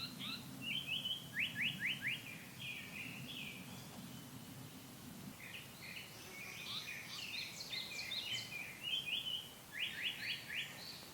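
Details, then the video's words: Japanese paradise flycatcher singing a 'hoit hoit' song: slurred whistled notes, then bursts of rapid, sharply falling notes. A steady low hum runs beneath the song in the first half. "호잇~호잇~ 긴꼬리딱새의 노랫소리 Japanese Paradise Flaycatcher"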